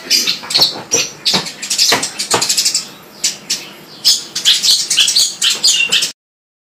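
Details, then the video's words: Sparrows chirping loudly in quick clusters of sharp, high notes, a quieter gap near the middle, then another lively burst before a sudden cut to silence. "burung greja suara keras"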